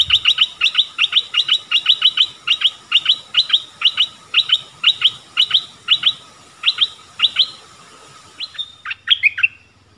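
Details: Long regular series of sharp descending notes from a streak-eared bulbul, often paired and repeated steadily for about eight seconds, closing with a few differently shaped rising and falling notes; faint constant hum behind.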